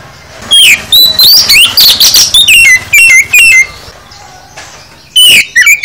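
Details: Full oriental magpie-robin song played to stimulate caged birds: sweeping whistles mixed with harsh chatter, clear falling notes repeated several times, a pause, then a final whistled burst.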